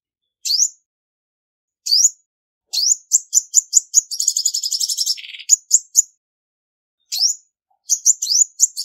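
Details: High, hooked chirps from a female olive-backed sunbird build into a fast run of sharp notes, then a buzzy, rattling trill about a second long, before the separate rising chirps return.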